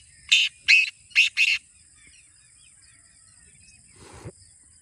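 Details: Black francolin (kala teetar) calling, used to encourage kept birds to call: four grating, rasping notes in about one and a half seconds, the last two closely paired, followed by quiet and a faint low rustle.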